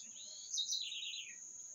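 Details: Singing bird gives one brief slurred phrase of under a second, starting high and falling steadily lower, with a constant shrill insect-like hum throughout.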